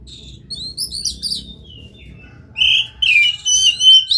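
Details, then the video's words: Oriental magpie-robin in full song, used to prompt a silent magpie-robin to sing; after a quiet start, loud slurred whistles and bright chirps come in quick bursts, with faint high notes earlier. "JANGAN BIARKAN KACER ANDA MEMBISU pacing DENGAN KACER GACOR INI"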